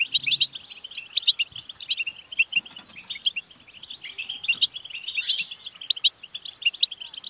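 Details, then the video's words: European goldfinch delivering betbta chatter to get a male goldfinch singing: dense bubbling twitter with sharp high accents every second or so and a rasping buzzy burst midway through. "بتبتة لتحفيز الحسون سوف يكسر القفص لأن دكر الحسون لن يصمت دقيقة واحدة بعد سماع هده البتبتة"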